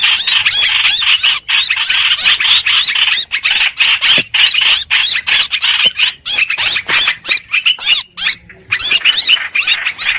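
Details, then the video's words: Streak-eared bulbul played as a lure for trapping birds: busy, excited chatter of curving squeaky notes, almost unbroken, with a few brief pauses near the end. "Tiếng chim hoành hoạch mồi chuẩn"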